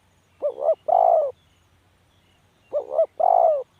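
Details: Two spotted dove phrases about two seconds apart. Each has a quick double-humped note and then a fuller, sustained coo, over a quiet background.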